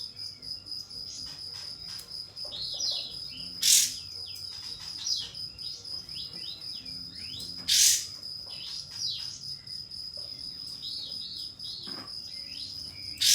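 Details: Pied fantail lure song meant to draw a rival into opening its tail: busy, thin whistled phrases of rising and falling notes, broken by three loud harsh bursts roughly four seconds apart, over a continuous high whine.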